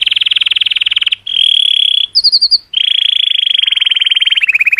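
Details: A color canary, singing to stimulate females, delivers long, fast trilled tours around high pitch, switching between rapid rattling rolls and brief bright bubbling notes, loud and continuous; identified as Belgian canary.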